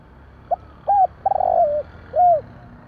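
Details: Single night-time phrase from a Javanese spotted dove: a short note, a hooked coo, a vibrating drawn-out coo sliding lower, and a final rounded coo.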